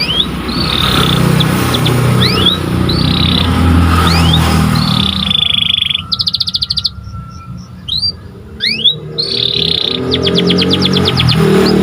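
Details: Panda canary song recorded for training other canaries: scattered upslurred whistles and short buzzy trills over loud, broad background rumble, with a clearer rattling trill and sharp chips near the end.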